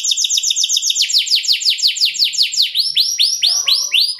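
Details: Canary with a long-duration "luxury song", used as a lure to set other canaries singing: rapid repeated high sweeping notes roll in even trills, then shift to slower, fuller upward-curving whistles.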